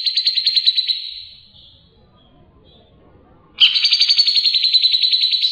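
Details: Clear ngebren singing by a grey-cheeked bulbul: a fast buzzy trill for about a second and a half, then silence with soft low noise, then another loud, evenly pulsed trill resumes and continues.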